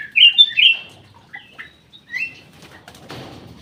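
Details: Black-crested bulbul (local name cucak emas or kutilang emas) in an aviary gives three loud, clear whistled notes in quick succession, then softer chirps, followed by a burst of wing flapping.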